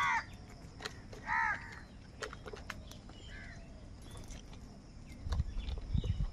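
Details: Feeding crows in a scuffle: a harsh caw opens, a second follows about a second later, then a fainter one, against steady low background hum and clicks.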